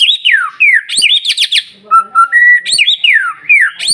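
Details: White-rumped shama singing to provoke other shamas, mixing high downward-sweeping whistles, sharp clicks and steady flat whistled notes in quick alternation.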